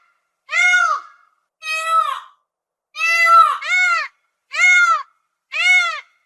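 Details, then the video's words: Loud, piercing peafowl screams repeated six times in six seconds. One pair runs back to back, and each wail is nasal and strongly ringing, over a clean, quiet background. "SOM DO PAVÃO"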